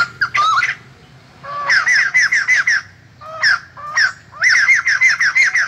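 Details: White-crested laughingthrush, a captive bird in 2020 voice training, of a kind found mainly in Vietnam's southeast and Central Highlands, sings loud, far-carrying runs of short rising notes repeated rapidly in two bursts. A harsh opening phrase comes before them, with low background hum.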